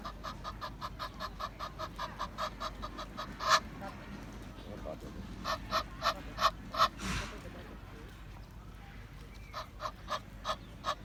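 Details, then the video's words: Egyptian goose giving rapid runs of harsh, nasal honking notes, about three per second, with pauses between bursts and a few louder accents; faint background hiss throughout. "GANSO CANTANDO, Som de Ganso | Ganso do Egito"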